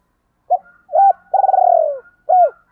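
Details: Lure spotted dove of the 'giọng thổ' voice, calling to provoke wild doves: two clipped notes, a long trilled coo sliding downward, then one more short note.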